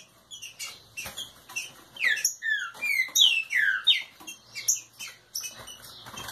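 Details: Green-winged saltator, root type, in aggressive warm-up song: clear downward-sweeping whistles repeated about three times a second in the middle, framed by scratchy clicks and short chirps, faint background hum.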